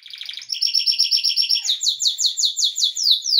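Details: Yellow Belgian canary, a pet bird, singing a lot: a fast buzzy trill shifts into a steady run of bright descending whistled notes, about four per second, high-pitched and clear, with no other sounds.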